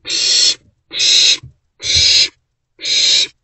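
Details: A trio of owlets inside a nest box on 13 April 2024, morning: four evenly spaced, loud rasping hiss-screeches, each roughly half a second, repeated at a steady pace just under a second apart.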